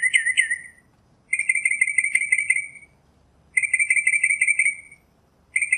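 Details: Northern mockingbird delivering buzzy rattling phrases of quick repeated notes, each lasting about a second, separated by short silences.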